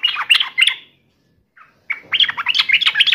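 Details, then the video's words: Yellow-vented bulbul taunting song directed at a rival, a short bubbly phrase, a brief silence, then a faster chattering run of gurgling notes. "trucukan gacor MENGEJEK LAWAN"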